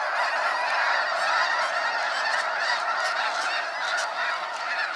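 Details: Snow geese departing Sacramento National Wildlife Refuge in a sunset fly-out, a very loud, continuous din of countless overlapping honks and yelps.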